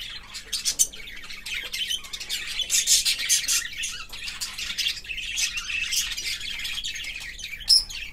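Budgerigars chatter in a busy stream of high, scratchy chirps and warbles.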